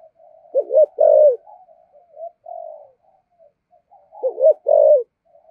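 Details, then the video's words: Spotted dove giving soft murmured notes that build into 'giọng thổ' style 'thúc gù' coos: a quick rising pair, then a fuller drawn-out coo, repeated twice with quiet humming notes between. "Tiếng chim cu gáy giọng thổ thúc gù cực đỉnh"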